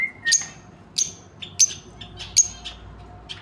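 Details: Two lovebirds with a brief whistled note, then shrill piercing chirps repeated roughly every half second to second.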